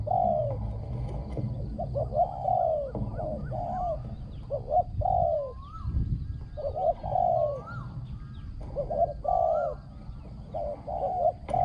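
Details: Spotted dove, a trapping decoy with a ringing, well-phrased coo; dense series of double and long coos, with rising whistles from another bird and a brief low thump partway through.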